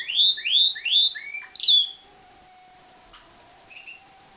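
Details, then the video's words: Captive-bred pied Timbrado canary giving three rising whistled slurs and a short falling note, then falling silent apart from a faint low hum and one brief high chirp. "Timbrado canary"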